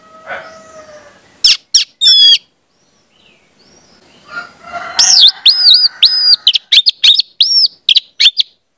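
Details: Orange-headed thrush song played for young birds to learn: a few sharp notes, a quieter pause with low background tones, then a lively series of loud looping whistles and chirps.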